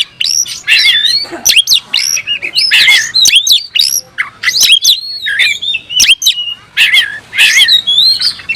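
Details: Kacer, the oriental magpie-robin, kept in a cage and singing hard with tail fanned to provoke a rival into fighting; continuous bright whistles and clipped notes, varied and rapid, some squawky accents.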